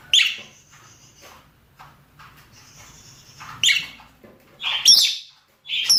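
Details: Rosy-faced and Fischer's lovebirds, male and female, calling to breed: harsh screeches at the start and near the middle, then a noisy double burst toward the end, with thin whistled tones between.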